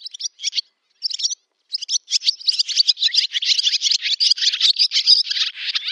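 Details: Barn swallow (Hirundo rustica) summer song, recorded 8 August 2013 in a village in Novgorod oblast, Russia: a rapid, continuous twittering of scratchy chirps and short warbled notes, starting in brief separated bursts then running together without pause, no other sounds.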